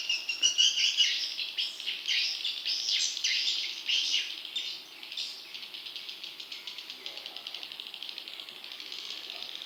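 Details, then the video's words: Young swiftlet calls for attracting wild chicks: loud buzzy squeaks early, fading into a quieter, rapid, evenly ticking twitter. "Suara Walet Anakan Super"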